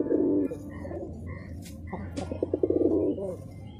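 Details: A pet domestic Giribaz pigeon, a breed that flies three to four hours aloft, gives low, throaty coos ending in a quick rolling burst of pulses.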